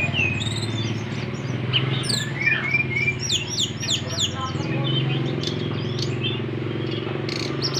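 An Oriental magpie-robin sings a fast, varied run of high whistles, sharp rising and falling sweeps and chatter over a steady low engine-like hum.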